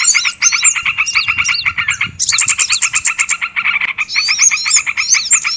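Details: Small-bird lure call meant to draw in birds for trapping: rows of fast, sharp chirps pour out continuously while high twisting whistles loop above, briefly pausing near two seconds before the dense chatter resumes.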